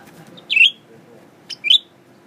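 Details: Newly kept captive Blue-winged leafbird, tame around people, singing while looking at its mirror image: two loud, short whistled phrases, each a quick downward-then-level slur, about a second apart over a quiet room hum.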